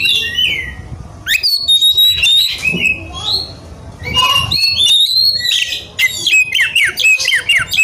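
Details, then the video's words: Oriental magpie-robin in heated, combative mood seeking an opponent: rapid bursts of steep whistled upslurs and downslurs, clear sustained notes and scratchy phrases, with brief quieter gaps between loud runs. "kacer gacor cari lawan tarung"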